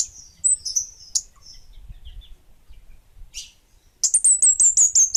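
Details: Kemade Bunga Api bird: a few thin high twittering notes, a pause, then a loud fast trill-like series of piercing high notes to the end.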